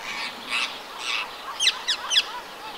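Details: Rose-ringed parakeets in the town of Empuriabrava, Catalonia, in winter on 26 January 2022, give harsh grating screeches, then three sharp shrill downward shrieks about a third of a second apart, over faint hiss.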